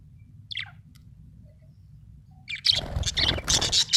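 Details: Budgerigar chirping in a happy mood: one falling note, a long quiet gap, then a dense, scratchy chattering burst of chirps to the end.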